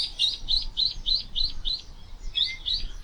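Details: On a clear morning on Taketomi Island, Okinawa, a Ruddy Kingfisher calls at waking time amid lively birdsong, giving a quick run of bright, high, slightly upslurred notes, about three or four a second, over a low rumble.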